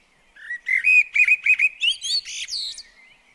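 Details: Blackbird in a garden near a bird table: a rising string of about ten short, clear whistled notes in quick succession, climbing higher and ending in a squeaky flourish.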